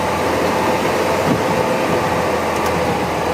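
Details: Loud, even rumble of a moving vehicle engine dominates, with no animal voices audible.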